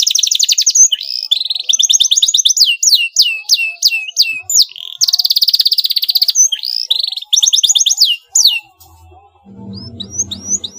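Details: Canary bait song for triggering a rival's response: rattling high trills and runs of crisp downslurred notes repeat in turn, then the song breaks off and a low rumble is heard under a few faint rising chirps.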